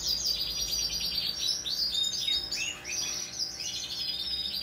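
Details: Hand-tamed Pacific parrotlet recorded on 26 November 2021: a steady stream of rapid, piercing chirps and chattering trills, about three per second, running continuously throughout with a low background hum.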